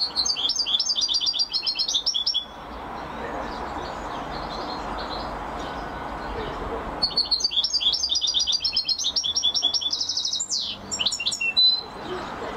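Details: Champion European goldfinch singing: dense, rapid twittering trills of high, tinkling notes in two long bursts separated by a few seconds of quiet, with steady low background hiss.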